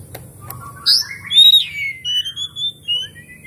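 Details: Oriental magpie-robin song used as a lure so a quiet bird sings and spreads its tail: rising slurred whistles climb into a loud ringing note, followed by a run of sweet, drawn-out descending whistles.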